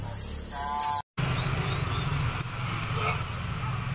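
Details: White-eyes being readied for singing competition; a few loud high chirps, a brief break, then a continuous stream of fast thin twittering over background noise.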